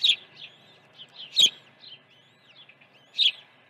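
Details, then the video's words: Early feeding at a Dunrovin Ranch osprey nest, 1 June 2019: bursts of harsh high chirping, three strong notes among weaker whistled peeps, with little background noise. "Osprey Video_2019-06-01_082412- Early feeding"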